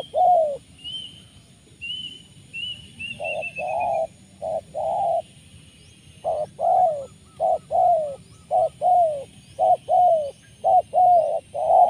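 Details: Spotted dove luring call, style called 'poin penguasa makam', rich in rolling 'rrr' sounds; steady series of low, burry coo notes, roughly one per second, in short and long falling units, with faint high chirps from another bird early on.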